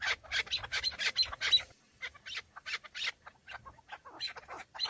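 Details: Male chukar partridges fighting and displaying for females in the breeding season, recorded from a car. Bursts of sharp, scratchy clucks, a quick cluster first, then a pause and sparser, scattered notes.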